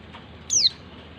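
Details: One brief, shrill whistle from a female white-eye calling the male. It sweeps downward in pitch and stands out clearly against a quiet background.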